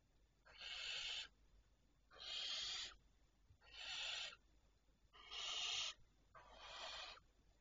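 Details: Barn owls at night, 25 May 2023 at 01:51: five harsh, breathy hisses, each under a second long and about a second and a half apart, over a quiet background.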